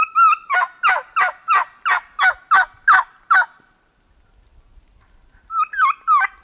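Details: Wild turkeys in fall near a known roosting site, heard by a hunter during the morning: a run of about nine loud yelps, roughly three every second, then a pause and another short series of yelps.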